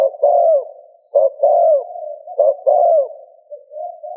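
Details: Spotted dove cooing, used to stimulate another dove to coo: low, soft hooting phrases, each a short note followed by a longer falling coo, repeated about every 1.2 seconds, with a quieter trailing coo at the end and no other sounds.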